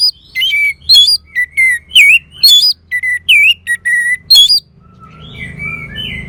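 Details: Orange-headed thrush (anis merah) song from northern Bali, Singaraja: a rapid run of loud whistled notes, many sliding down from high to middle pitch, with varied phrases; a soft low hum underneath and a quieter chirpy call at the end.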